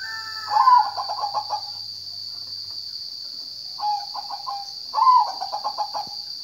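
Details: Zebra dove giving its song, three bursts of soft rolling coos, each opening with a slurred note and trailing into rapid pulsed beats, with long pauses between and a constant high whine behind.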